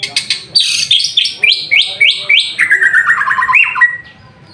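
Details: White-rumped shama in lively song while bathing in the afternoon: a series of rising whistled notes, about four a second, turns into a fast descending trill and ends in one upslurred whistle.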